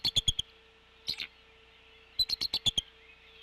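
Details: Adult female bald eagle at the Decorah N2B nest, March 2016, calling at 07:39 before feeding her chick. Bursts of shrill, clipped piping notes come in quick runs, with a short squeal and a gap between the runs.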